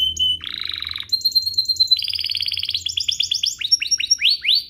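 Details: Canary song used as a lure for other canaries: a brief whistle, a buzzy rattling trill, a long clear whistled note, then a warbling trill and a string of upswept chirps.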